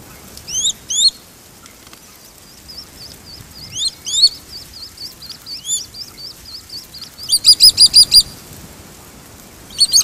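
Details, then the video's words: Swallow-tailed kite in Brazil: shrill, high-pitched calls, some sharply rising whistled notes in pairs, thin repeated peeps, then a fast burst of five or six piercing notes near the end against a quiet background. "(Elanoides forficatus) Swallow-tailed kite/Gavião-tesoura"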